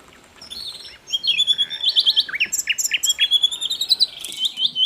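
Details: Steadily singing Asian brown flycatcher on a songbird tutor recording: after a quiet start, a lively series of high, sharply slurred chirps repeats quickly.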